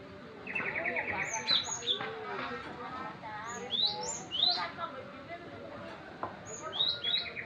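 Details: Young Java sparrow, still showing some green in its plumage, gives short, sharply rising high chips in small clusters, about three bursts over several seconds, while human voices talk steadily underneath.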